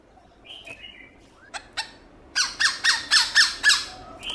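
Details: Black-throated laughingthrush giving a wild-style, many-voiced song, played each morning to stir caged birds into singing. A few soft whistled and slurred notes come first, then a loud run of harsh, rasping squawks, about four per second.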